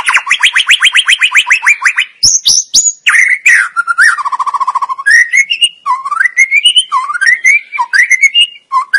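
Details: White-rumped shama (murai batu) in a masteran training recording: long, rich song opening with a fast even trill of rising notes, followed by varied whistles, buzzy rolls and swooping phrases.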